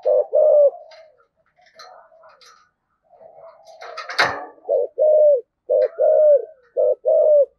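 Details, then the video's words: Decoy spotted dove in thổ style cooing to excite wild doves: two coos, then soft scattered notes and a sharp clatter, followed by a run of paired low hollow coos. "cu gáy giọng thổ thúc gù cực đỉnh, tiếng chim cu gáy kích bổi hiệu quả"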